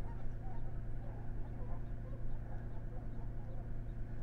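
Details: In the morning at Blackfoot, a passing flight of geese gives faint, overlapping nasal honks in a rapid irregular chorus, half-buried under a steady deep rumble.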